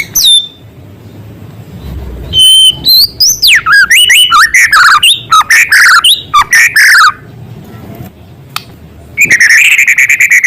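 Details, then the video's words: Actively singing white-rumped shama giving song stuffed with small-bird imitation material: a clear whistle, then a dense jumble of swooping, rapid chattering notes for four seconds, a pause, and a buzzy trill starting up at the end. "Murai gacor materi isian suara burung kecil"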